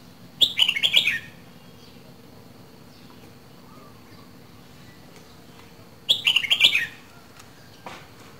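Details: Red-whiskered bulbul, a kept songbird from Dak Lak, Vietnam, two seasons old, gives two short warbled phrases, about a second each, of quick rising and falling whistled notes, separated by five seconds of quiet.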